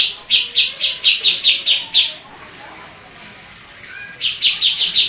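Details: Greater green leafbird singing actively with mimicked songs such as Kapas Tembak, Tengkek, Cililin, Lovebird and Cucak Jenggot: a quick run of sharp, high, evenly repeated chips, a two-second pause, then the chipping resumes.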